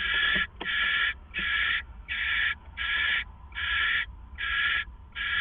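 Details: Before dawn at 4:49 AM, April 27, 2014, an owl at the Hideout, shared by two owls, gives loud breathy screeches in a steady series, eight bursts with short gaps and a few soft clicks.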